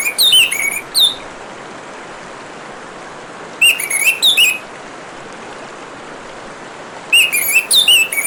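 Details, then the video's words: Orange-headed thrush song with running water behind it: rich, twisting whistled phrases with slurred notes come in three bursts, separated by pauses of about three seconds filled only by the rushing water. "Kicauan Burung Anis Merah dan suara Gemericik Air"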